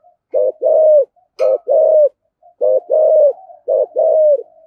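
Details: Three clear phrases from a 'giọng thổ' spotted dove, each a brief low note followed by a longer, resonant coo, meant to make captive wild doves coo along; a soft click between phrases.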